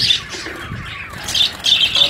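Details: Budgerigars in a breeding setup during their first breeding of the season give harsh, buzzy squawks and chirps in short bursts, high-pitched and scratchy.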